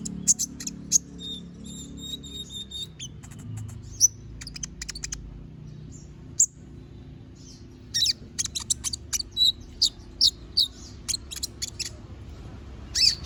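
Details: Little spiderhunter singing actively with sharp, piercing notes: clusters of quick, high staccato chirps with a few thin whistles, a near-silent pause in the middle, then a dense rapid burst toward the end, over a faint low hum.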